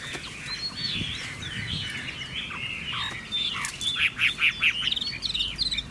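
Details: Chinese hwamei song with soft, blurred warbling at first, then a loud burst of rapid, evenly spaced whistled notes before the phrase trails off.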